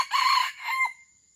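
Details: Crow of a red junglefowl from Aceh, a recording used as a lure for wild birds: a harsh, loud opening syllable, then a shorter fading second note, leaving a faint high whine.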